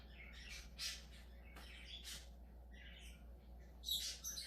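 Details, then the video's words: Budgerigar making scattered sharp squawks and scratchy chirps, with a louder shrill burst near the end, against a faint low hum. "Periquito australiano especial"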